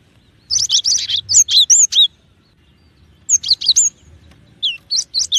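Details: Cinereous tit singing quick runs of high whistled notes, each swooping up and then down, delivered in three bursts with short gaps between them.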